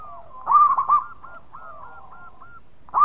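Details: Local zebra dove singing energetically amid answering doves: a loud burst of three rolling coos, then a string of soft hooked notes at steady pitch, and another loud coo beginning at the end.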